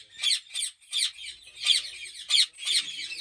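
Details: At a Pakistani breeding farm, ringneck parrots give short, rasping squawks, about six sharp bursts in roughly three seconds, unevenly spaced.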